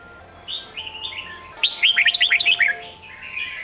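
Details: Training song of a red-whiskered bulbul in the Sông Kôn style, for young competition birds: soft slurred whistles lead into a rapid series of about eight bright, looping chirps, then quieter warbling over a faint hum.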